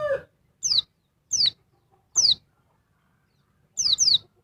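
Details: Noisy female oriental white-eye calling and agitating the male: sharp, high, downward-sweeping chirps, four spaced singly about every 0.7 seconds, then a quick double chirp, with a brief low clucking note at the start.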